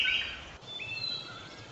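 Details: A pet parakeet being taught to sing, with a person singing a Chinese song line by line before and after, gives high, clear whistled notes: a bright warble, then a short rising whistle that levels into a sustained tone, over a faint steady hiss.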